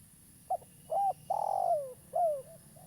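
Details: Local spotted dove, calling actively, used as a lure for trapping: a short clipped note, a rising-falling coo, a long drawn coo sliding downward, then a final falling coo, over a low steady hum.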